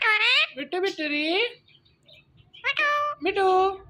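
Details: Talking green Indian ringneck parrot mimicking speech with harmonic, voice-like syllables in two bursts separated by a quiet pause.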